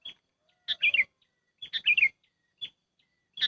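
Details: Trapping lure call of a sooty-headed bulbul: lively chirped phrases of several quick, dropping notes, alternating with single clear peeps, slightly fainter with faint low rustle beneath.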